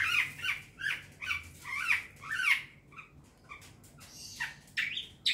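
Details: Young wild long-tailed shrike heard as a lure sound: a series of short, slurred chip-like notes repeated about twice a second, then sparser harsher notes and a rising buzzy phrase at the end.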